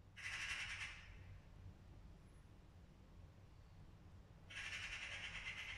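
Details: Angry magpie: two harsh, rasping chatter bursts, each under a second and about four seconds apart, heard faintly against a low background rumble.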